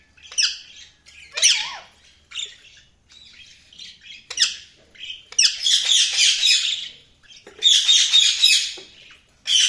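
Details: Budgies chirping in short scratchy notes that run into long, dense bursts of harsh warbling chatter, with brief quiet gaps between phrases.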